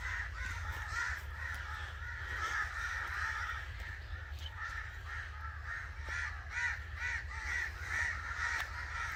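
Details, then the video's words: Angry crows cawing rapidly, more than two harsh notes per second, dense and overlapping, louder strident calls toward the end, low rumble beneath. "Angry Crow Sounds"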